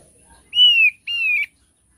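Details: Thick-billed heleia giving two loud, pure whistled notes, each drawn out and gently falling at the end, separated by a brief pause, with no other sounds.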